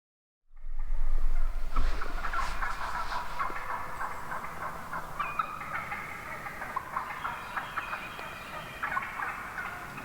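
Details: Wild turkey hens calling together in a large flock one morning, a dense chorus of rapid yelps, clucks and purrs overlapping continuously, with some low rumbling handling noise at the start.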